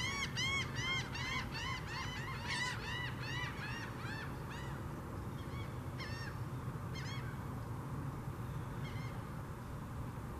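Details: Mottled ducks bobbing their heads together before mating in a borrow pit in Largo, Florida; a quick run of nasal, harmonic quacking notes that starts dense and slows to scattered single notes, over a steady low rumble.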